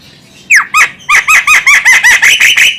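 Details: Female Javan myna call used to lure birds: a falling whistled note followed by a rapid, loud series of about eleven harsh, ringing squawks.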